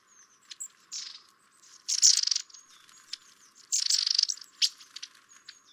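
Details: A pair of long-tailed tits visiting garden feeders in winter, filmed through a double-glazed window from over 40 feet away: high, thin notes and three loud, rough, buzzy call bursts, the last two longest.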